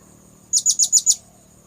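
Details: High, thin chirps of a blue-crowned hanging parrot, played as a lure for birds: five sharp even notes in a rapid half-second burst, then quiet with a low steady hum.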